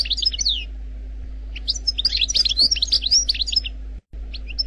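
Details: Algerian goldfinch singing a wild-style song: bright twittering bursts and quick rising-falling whistles, a pause near one second, then a dense run of chirps, a short cut, and a final phrase, over a faint steady hum.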